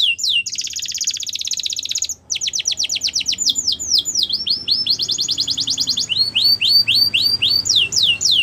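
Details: Canary singing a sustained buzzy trill, a brief gap, then rapid descending notes, another fast rattle and a closing series of rising chirps.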